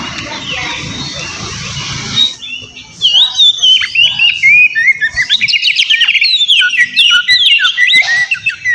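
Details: Oriental magpie-robin (kacer) in loud, full 'gacor' song, used to provoke a rival into answering; after two seconds of broad hiss, a rapid run of sharp whistled slurs and chattering notes begins and continues dense to the end.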